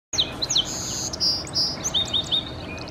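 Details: Song Sparrow singing in Salmon Arm, British Columbia: a quick run of high, clear notes and sharp slurred chirps, ending in a few evenly repeated notes, over a steady soft background hiss.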